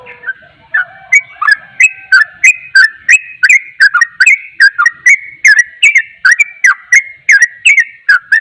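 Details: Rapid song of a sooty-headed bulbul, said to stir other bulbuls to agitation: a steady string of clear whistled notes, roughly three per second, alternating higher and lower, each with a crisp click, after a faint low tone.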